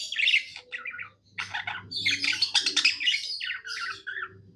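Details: Budgerigar kept as a pet, singing happily: a harsh squawky note opens a dense stretch of grating chatter and high squeaks, with a soft humming drone behind.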